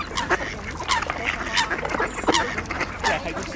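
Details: Mallards jostling at an ice hole during a feeding frenzy with Eurasian coots and two swans; distinct nasal quacks, about one per second, some descending, over water splashes.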